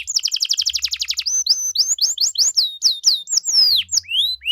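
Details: Canary in full, lively song in the ornate 'cengkok mewah' style, sung to make other canaries answer: a fast trill of about a dozen repeated notes, then a string of clear whistled slurs rising and falling, with a faint low hum underneath.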